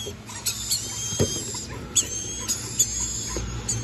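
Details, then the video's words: Red-collared lorikeet giving brief, sharp, high squeaky notes at irregular intervals, about five in four seconds, over a steady high-pitched hiss. "Red-collared Lorikeet"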